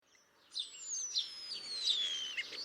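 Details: Starlings calling: a long, thin, high whistle slides slowly downward over about two seconds, overlaid with short chirps and faint background hiss.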